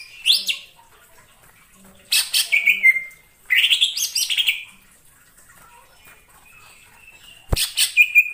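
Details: Wild greater green leafbird in forest: three separated bursts of high, scratchy chatter ending in thin whistles, with quiet gaps between and a single sharp click near the end.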